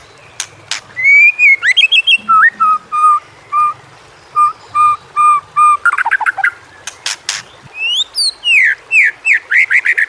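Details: White-rumped shama song used as training material for shamas: clear whistled slurs and steady low whistles repeated about every half second, then a burst of varied chattering and falling trilled notes.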